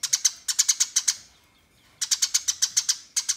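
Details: House sparrow in fighting mood, calling out rivals with long chattering: two bursts of loud, harsh, evenly spaced chirps, about seven to nine each, separated by a short silent gap.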